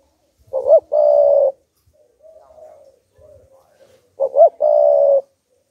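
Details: Spotted dove decoy bird cooing to provoke wild doves: two phrases about three and a half seconds apart, each a pair of quick rising notes then a steady drawn-out coo, with soft murmurs between.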